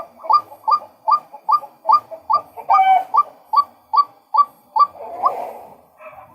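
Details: Male white-breasted waterhen giving a steady run of short, hollow, mid-pitched notes, about two and a half per second, with a brief rougher, blurred sound near the end.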